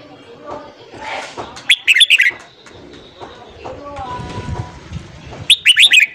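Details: Red-whiskered bulbul morning song for training newly caught birds: two loud phrases of rapid, clear whistled notes, nearly four seconds apart, with soft chirps and low murmuring between them.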